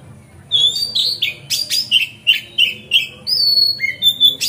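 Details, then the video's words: Singing magpie-robin used as a lure so other magpie-robins open their tails: sweeping whistles and a steady string of sharp chirps, closing with long clear whistled notes. "Pancingan Kacer Gacor Ngeplong Santai Bikin Buka Ekor Kacer Lain"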